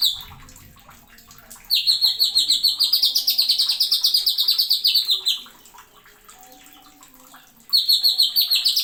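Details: Greater green leafbird (cucak ijo) singing 'nembak' with sharp 'isian' in a masteran tutor recording. After a quiet start, a long volley of shrill notes rises and falls at high pitch, then breaks off and starts again.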